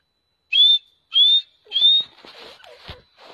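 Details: Sindhi black francolin, called beautiful and fast, giving three clear rising whistled notes about half a second apart, followed by softer scratchy rustling sounds.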